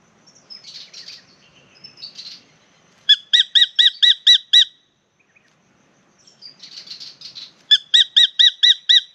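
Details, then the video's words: Spangled drongo, Dicrurus bracteatus, singing near water in Australia as its partner calls from the tree overhead: soft scratchy chatter followed by a quick series of six bright metallic notes, the whole pattern repeated twice. "Spangled Drongo comes for a sing and a swim"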